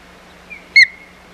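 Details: One sharp whistled note from an osprey at the Hog Island nest on 4 May 2020, during a fight over the nest, with fainter thin whistles before and after and a soft low hum.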